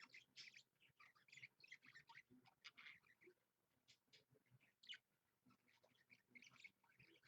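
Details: Budgerigar kept indoors as a pet, streamed live on Monday 16 February 2015 at 7 AM. Quiet, scattered squeaky chirps and clicks come in a loose, uneven string.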